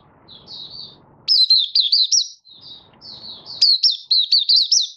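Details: Caged Malaysian Oriental white-eye opening into song on 24 August 2023, out of form, building form, lightly moulting: rapid high twittering of looping up-and-down warbled notes in two lively phrases, with soft hum in the pauses.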